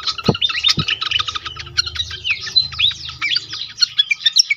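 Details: Pied fantail, lure sound meant to get others singing quickly: nonstop squeaky chatter of high chips mixed with short slurred whistles, about four notes a second; two sharp knocks near the start and a soft low hum.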